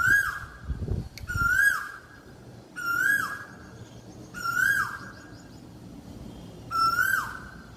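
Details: Asian koel calling: a loud, clear whistled note that rises then falls, repeated about every one and a half seconds, five times, with a brief low thump near the start.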